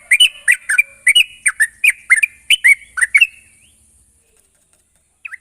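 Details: Sooty-headed bulbul song used as a lure to get a bird singing continuously: bright, bubbly two-part notes around the upper-middle range, about a dozen in quick succession over three and a half seconds, then a pause and one faint final note.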